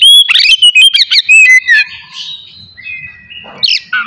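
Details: Oriental magpie-robin in morning song meant to trigger aggression and breeding urge in rivals; loud clear whistles and rapid slurred notes for nearly two seconds, then a thin sustained whistle and a few sharp notes.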